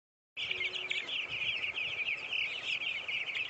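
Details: Broiler chickens at a hatchery farm: after a brief silence, a dense, continuous chorus of high, shrill peeps from many birds at once, overlapping with no gaps.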